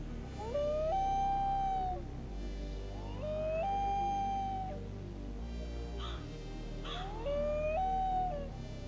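Common Loon giving three long, mournful wails that slide up and hold a steady tone for about a second each, over a low background music bed.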